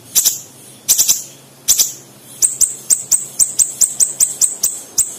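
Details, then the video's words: Siri-siri singing in full, tight, fast form, giving very high, sharp ticking notes, first in short doubled bursts, then a fast even run of about four chips per second. "Burung Siri Siri gacor dor Sped Rapat full isian"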